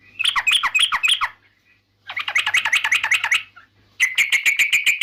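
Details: Yellow-vented bulbul, known locally as trucukan, singing in a way said to rile rival birds: three fast chattering phrases of bubbly, warbled notes separated by short pauses, the last a steadier run of repeated chirps.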